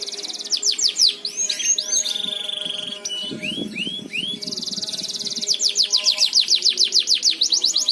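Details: Canary song played as a lure to get other canaries singing; fast rolling trills of rapid repeated notes, looping upswept whistles, a steady high note and a brief buzzy passage, then a long quick trill.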